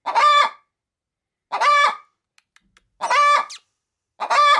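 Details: Pet hen getting ready to lay an egg inside a chicken-feed bag, cackling as a person approaches: loud harsh broad squawks, each about half a second, repeated roughly every one and a half seconds.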